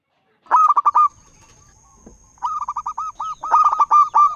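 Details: Five-year-old local zebra dove with a big voice, singing to entice other doves to call; a short staccato burst followed by a longer run of quick cooing notes, over a faint steady high-pitched tone.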